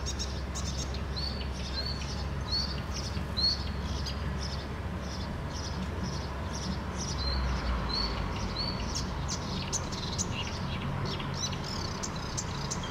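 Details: An unidentified small bird in a bush in Helsinki, Finland, repeats short, high chirping notes about every second over a steady low rumble of wind or distant traffic.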